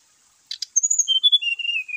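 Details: A brown-chested jungle flycatcher sings, used to provoke caged birds that will not sing. After two short scratchy notes, a thin high whistle slides down into lower sustained whistles that fall gradually in pitch.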